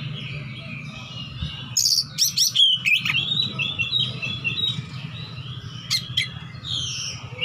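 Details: Fighting Oriental magpie-robin searching for an opponent in ngeplong song; after a quiet start comes a burst of sharp clicks and rapid warbled whistles, then softer level whistling, over a low hum.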